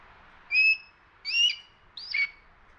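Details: A juvenile Red-tailed Hawk near Toronto, Canada, September 2022, attacking a Downy Woodpecker, gives three loud, clear squealed cries in quick succession, the last one slightly falling, with near silence between them.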